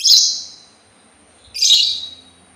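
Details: Two loud, harsh, scratchy bursts from a sultan tit, about one and a half seconds apart, each fading away.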